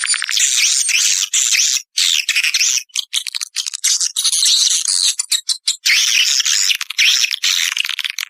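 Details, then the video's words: Naga Emas lure call meant to draw edible-nest swiftlets to nesting houses: dense, loud twittering with looping high chirps and rattles, nearly continuous with brief breaks. "SUARA PANGGIL NAGA EMAS"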